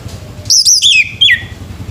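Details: Male orange-headed thrush singing in the morning: a short burst of high, clear whistled notes sliding downward, followed by a separate falling whistle, over a faint low hum.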